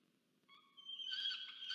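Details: Young peregrine falcon begging its parent for food at a monitored nest in Orange, New South Wales, 13 November 2022; a thin, faint whine swells into a loud, harsh, rasping scream.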